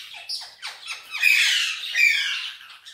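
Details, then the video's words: Indian ringneck parakeet, green form, kept as a talking pet that also whistles in Urdu and Hindi, makes a run of quick clicks building into one long, rough, strained squawk. "Indian Ringneck Parrot Talking And Whistling"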